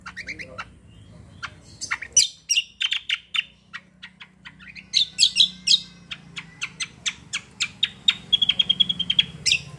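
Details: Cucak delivering a lively kombo roll tembak song: long run of sharp, high chirps and short trills, with a steady whistled trill near the end, over low background hum.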